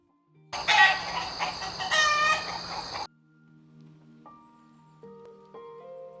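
A rooster gives one loud, harsh, drawn-out crow lasting about two and a half seconds, followed by soft, steady musical tones.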